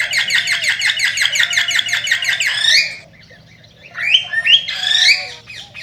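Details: Cockatiel song to encourage mating: a fast, regularly pulsed buzzy chatter for about three seconds, silence, then loud rising whistled squawks.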